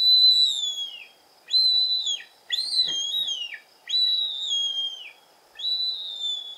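Bearded vulture giving high, thin whistled notes, each about a second long and falling at the end, repeated five times with short pauses.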